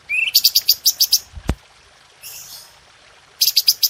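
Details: Red-whiskered bulbul, a training recording for cage birds, gives a brief rising whistle and then a quick run of sharp, high notes. A loud click interrupts midway, and after a short pause another burst of rapid sharp notes follows.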